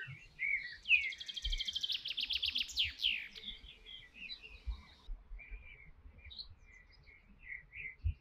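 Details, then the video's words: Singing canary opens with a fast rolling trill that climbs and falls in rapid pulses, then settles into scattered short high chirps over soft background rumble. "Canary Singing"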